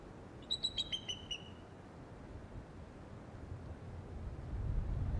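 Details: Bald eagle pair at the Decorah North Nest webcam on 13 December 2017, 11:18 am, defending prey against at least one sub-adult or juvenile in wind: about six thin, high, descending chittering notes in quick succession, then steady wind rumble.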